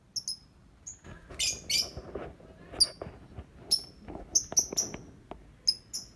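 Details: Singing lovebird giving a busy series of high piercing chirps and short squeaky notes, some doubled, at an uneven pace, with faint lower clicks and rustling underneath.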